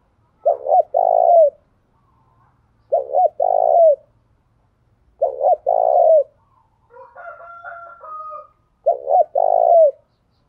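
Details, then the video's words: Morning decoy calling of a spotted dove meant to provoke males: four low cooing phrases, each a short note followed by a longer rolling coo, spaced about two seconds apart, with a brief chattering of another bird in one gap. "Tiếng chim cu gáy mồi gáy gọi, mở buổi sáng bổi và mồi xiêng gáy"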